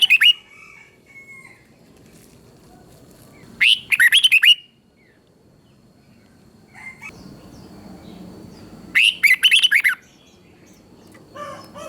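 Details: Thai red-whiskered bulbul, its song used to rouse other bulbuls: a short opening note, then two loud chattering phrases of rapid sliding notes several seconds apart, with soft chirps and rustling between.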